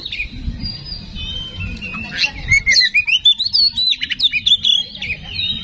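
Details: Oriental magpie-robin song used as a lure to provoke another bird into singing: varied, sliding whistles and chirps that speed up into rapid, choppy notes, over a steady low background hum.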